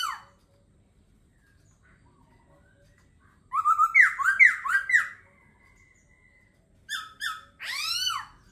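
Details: A laughingthrush sings a fast chain of bouncing, zigzag whistled notes lasting about a second and a half, followed by two short notes and a long, arching, ringing whistle.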